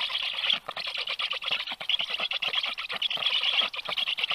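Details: Black Stork chicks twittering at their nest in Karula National Park, southern Estonia, on a July 2023 morning, filmed by a nest camera while a strange stork is nearby. Dense, continuous high twittering with rapid chattering pulses throughout.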